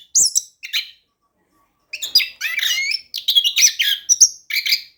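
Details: Orange-headed thrush used as a lure for quiet birds: two isolated high chirps, a second-long pause, then a rich tumbling burst of warbled whistles and sharp notes.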